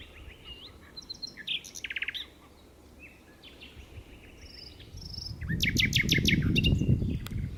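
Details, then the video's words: Common nightingale singing at Berkheide in the Netherlands, recorded 29 April 2018: varied phrases of thin high whistles, a fast rattling series of repeated notes, then a sharp rapid clicking burst over a rising low rumble of background noise. "Common Nightingale Nachtegaal"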